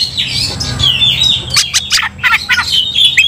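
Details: Agitated Oriental magpie-robin in aggressive song as others respond. A wavering high whistle leads into a string of harsh, clipped chattering bursts in quick succession.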